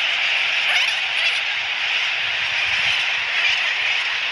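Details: Sooty tern nesting colony at Johnston Atoll National Wildlife Refuge, 16 April 2017, terns flying in the distance: many overlapping high, nasal calls merging into a steady, unbroken din with no pauses or other clear sounds.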